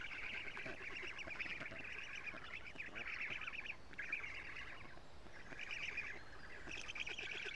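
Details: Young black storks at an Estonian nest calling as a parent brings lampreys in June; bursts of fast nasal chatter with short gaps, several birds overlapping, steady hiss underneath.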